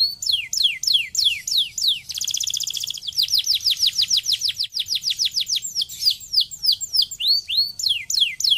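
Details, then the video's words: Canary singing to prompt other canaries to sing: quick high descending whistled notes in rapid runs, a short dense buzzy trill near the start, then long tight rolls of sweeping notes and scattered varied chirps. "apenas 10 segundos o material canário canta imediatamente"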